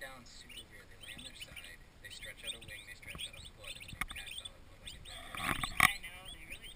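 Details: Twenty newly arrived turkey poults, baby turkeys in a farm nursery, peep together in a dense chorus of short high chirps, with a voice briefly heard and a louder knock near the end.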